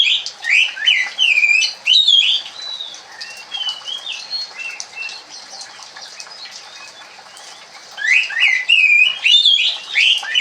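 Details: Oriental magpie-robin giving kremun song, its gentle warbling style: bursts of rich, slurred whistles and chirps at the start and again near the end, separated by a stretch of faint, thin twittering.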